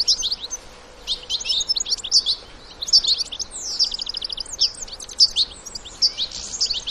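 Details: Wild European goldfinches, adults with young, in nature: bright, liquid twittering song of quick high chirps and buzzy trills in loose bursts, with a rapid run of repeated notes midway, over a faint rural background.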